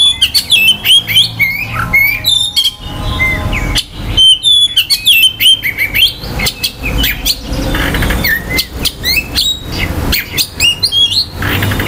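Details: Oriental magpie-robin song used to rouse other magpie-robins' emotion and breeding drive: loud, rapid strings of clear whistles and sharp chirps, rising and falling notes tumbling in dense phrases, broken by brief gaps, with faint low hum beneath.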